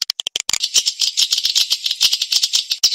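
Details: Edible-nest swiftlet lure call, played to draw swiftlets from other nesting houses into a private swiftlet house: a few sharp clicks, then dense high buzzy chirps and rattling trills without pause.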